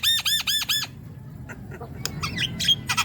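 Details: A vigorously singing Javan myna, a recording meant to stimulate a silent young myna: four loud arched, ringing notes in quick succession, then scattered scratchy chatter and a high whistle.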